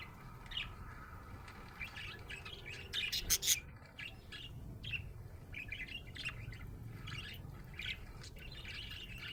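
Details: Happy pet budgerigar chirping: short, fairly quiet high chirps scattered through a low background hum, with a denser burst of sharp notes around the middle.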